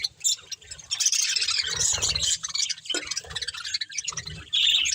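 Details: Budgerigars, a breeding pair, keep up busy high chirping and scratchy warbled chatter, briefly pausing, then resuming loudly at the close; soft low knocks underneath.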